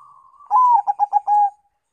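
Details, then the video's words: Crossbreed Bangkok-local zebra dove lure song: a faint steady tone precedes one phrase opening with a drawn-out falling coo, then three brisk clipped notes and an even, held closing note. "PANCINGAN PERKUTUT BANGKOK LOKAL (CROSING SILANGAN)"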